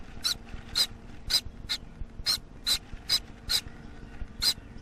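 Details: Baby Gouldian finch, about one week old and fed by its parents, giving harsh, raspy calls repeated roughly twice a second over a low steady hum.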